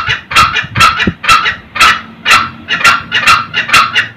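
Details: Male and female red junglefowl cackling, a sound used to lure old wild males very early in the morning: rapid, harsh bursts of about two per second, rough and broadband with a nasal edge, repeated steadily over a low background hum.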